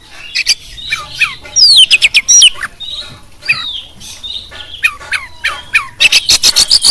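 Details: Champion Oriental magpie-robin with a varied training song for songbirds: repeated downslurred whistles and sharp chips, sweeping high notes, ending in a rapid rasping rattle.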